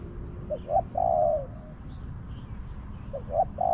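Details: Wild spotted dove with a small voice, in a garden, answering a decoy bird during decoy trapping: short clipped notes lead into a longer husky coo, and the phrase starts again near the end. Faint high thin chirps of another bird sound above.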